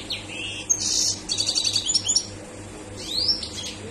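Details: Highly excited European goldfinch singing a quick mix of tinkling twitters and buzzy chatter, followed after a pause by a loud rising whistled slur.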